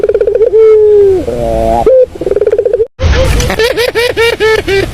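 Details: Cooing of a puter dove, the sweet purring sound used for luring. One pulsed-then-steady coo with a throaty ending and a stuttered start, then a brief break and a run of short rapid arched notes.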